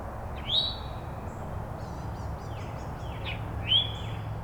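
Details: An Eastern Towhee in the morning in woodland and meadow at Withrow Nature Preserve, Hamilton County, Ohio, near the Ohio River, gives two loud, rising, slurred alert calls about three seconds apart, with faint high notes from other birds and a low background rumble.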